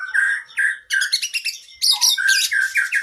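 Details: Oriental magpie-robin training song for cage birds with long varied phrases: loud sweet whistles alternating with rich, rapid chattering runs and jumbled high notes, continuous and energetic.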